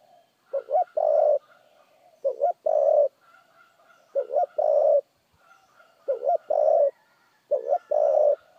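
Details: Spotted dove in fast 'thúc gù' cooing, repeating a low hollow phrase five times, about every one and a half seconds. Each phrase is a quick double note followed by a longer sustained coo, with faint background sounds.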